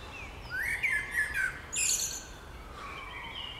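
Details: Springtime bird song: a thin high note, then a rising whistled phrase that slurs and wobbles downward, followed by a brief buzzy chatter and soft falling notes.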